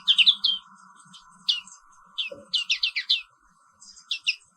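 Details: Black-capped white-eye, an Indonesian endemic, giving high chirping bursts of its morning song over a constant low mechanical hum, with one brief thud in the middle.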